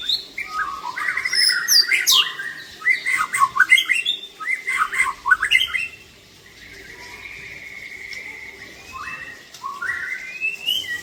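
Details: Aceh-type white-rumped shama, 'klewer' tail, with a luxurious 'isian' song fill: rapid run of chattering, squeaky and whistled notes, then a long steady whistle and renewed rising phrases.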